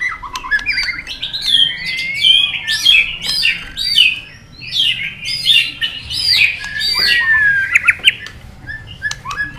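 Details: Competition song of a White-rumped shama in long forest style, with tail flicking: continuous bright, high warbling phrases of fast slurred and trilled whistles, sweeping up and down, nearly unbroken for several seconds.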